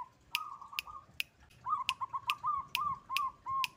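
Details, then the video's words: White-barred local zebra dove song, used to rouse and unsettle rival birds: one long even rolling trill, a pause, then a run of short arched coos in quick series, with regular crisp clicks ticking throughout. "Suara perkutut lokal putih lurik bikin emosi dan panik lawan"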